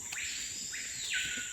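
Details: A Screaming Piha in Andean-foothill rainforest at Rio Bigal, Ecuador, bordering the Amazon, heard during a hike, gives loud, ringing whistles that swoop upward over a steady high insect drone.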